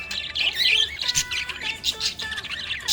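A budgerigar chatters in a fast, warbling stream of high chirps, squeaks and scratchy notes, broken by brief pauses.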